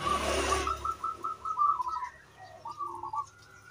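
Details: A singing local zebra dove gives two phrases of soft, quick, stuttering coos, the first stepping up and down at a steady mid pitch, used as a lure song; a brief rush of noise opens the recording.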